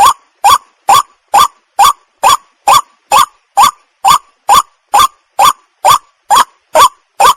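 A White-breasted waterhen repeats a harsh, nasal croaking note about twice a second, each one rising and identical to the last, with no other sounds.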